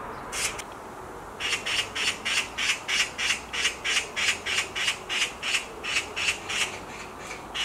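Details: Black magpie calling from a tree branch: a single harsh note, then a long, evenly spaced series of about sixteen rasping screams, around three per second.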